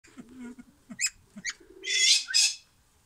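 Silver pheasant: low murmuring notes and two sharp chirps, then two loud, harsh, hissing bursts about a third of a second apart.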